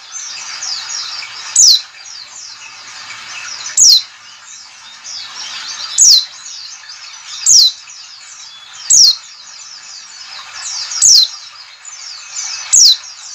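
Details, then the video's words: White-eye ngalas call, used as a lure to get other white-eyes to open their beaks and sing: sharp, high whistled notes sweeping steeply downward, one about every two seconds, over a steady wash of softer high chirps from other birds. "CALL CALL NGALAS cepat memancing PLECI BUKA PARUH"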